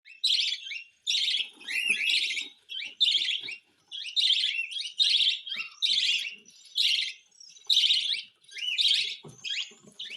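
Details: Cockatiel during hand-feeding: harsh, raspy pulsed calls, each about half a second long, repeated roughly once a second in a steady run with short gaps and faint low background knocks.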